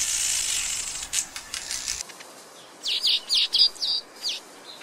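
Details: Red-headed weaver tying a knot while building its nest: a burst of five or six sharp, high, downslurred chirps in quick succession after a stretch of rustling hiss.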